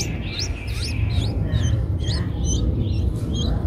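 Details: Streak-eared Bulbul nestlings aged eight days, Ubon Ratchathani, Thailand, April 2023. Thin rising chirps with a hooked upward tail come in an uneven run, about two a second, over a low steady hum.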